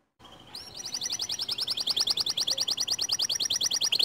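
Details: White canary singing as a lure to get other canaries singing; after a brief silence, a fast, even trill of sharp high notes repeats about three times per second and grows louder throughout.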